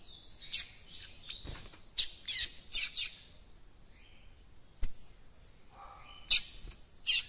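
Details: Juvenile caged White-throated Seedeater trying out its encarte song, giving scratchy high warbles and several sharp chip-like notes separated by silences, with one thin whistle near the end.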